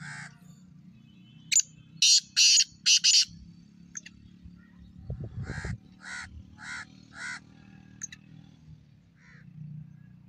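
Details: A black francolin (Francolinus francolinus), excited in breeding season, calls with harsh, grating notes: a loud burst of four, then a quicker run of five, over a low background hum.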